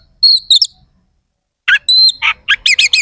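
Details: Oriental magpie-robin singing sharp fill phrases meant to agitate rival magpie-robins: clear high whistles, a short gap, then more ringing whistles and quick harsh chattering notes in rapid succession.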